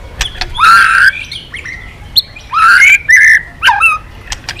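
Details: Formerly silent white-rumped shama singing again, mixing harsh scratchy notes with short rising whistles in separate bursts, with scattered clicks between phrases.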